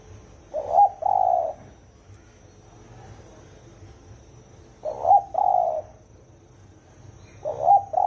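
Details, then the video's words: Low 'thổ ồm' coos from a spotted dove, a style used to stimulate wild doves: three evenly paced phrases, each a quick rising hiccup note joined to a longer mellow coo, separated by roughly four seconds of quiet. "Tiếng chim cu gáy thổ ồm kích thổ đồng siêu tốc lên cực nhanh"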